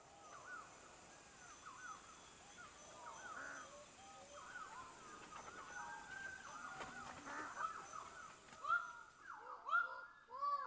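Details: Several male greater birds-of-paradise (Paradisaea apoda) at an active lek in Badi Gaki Conservation Area call before displaying to attract females, giving loud, nasal, overlapping calls that grow stronger toward the end over a steady high insect drone.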